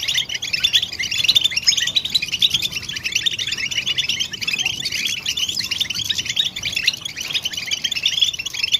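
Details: European goldfinch chirping and mating calls used to stimulate silent males to sing: dense, continuous high tinkling twitter of rapid chips and trills, unbroken for the whole stretch, with faint low background hiss.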